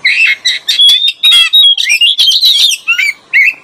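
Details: Oriental magpie-robin, male and female, used as a lure call, pouring out a rich, varied song of bright whistles, slurred rising notes and scratchy chatters in quick bursts, with little else audible.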